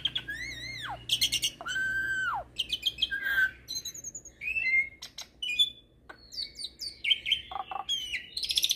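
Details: Hybrid starling (jalak hybrid) song for teaching magpie-robins and kacer birds: long arched whistles rising and falling, followed by quick chirps, trills and mimicry-like phrases; faint low hum.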